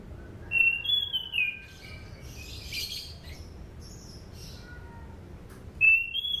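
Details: Orange-banded thrush song for training other birds: a wavering whistled phrase dropping in pitch, some softer scratchy twittering in the middle, then another clear whistle beginning near the end.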